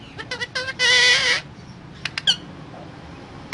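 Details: Parrot making a few quick clipped notes, then one loud, rough, drawn-out screech lasting about half a second, followed by scattered short clicks and chirps.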